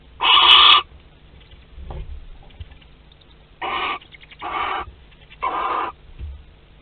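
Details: Barn owl at its nest in Théding, France, on 25 April 2021: one loud hissing screech, then after a pause three shorter rasping hisses about a second apart, with faint low hum and small knocks between.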